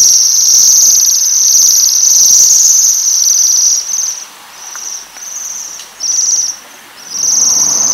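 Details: Waxwings at coloured rowan berries call with a sustained high metallic trill, which later splits into short separate bursts about a second apart.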